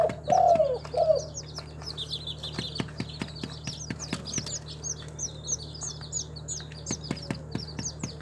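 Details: A captive local spotted dove in Timika, Papua, gives a couple of low, soft cooing notes at the start, then fades behind steady high chirping from small birds and scattered clicks.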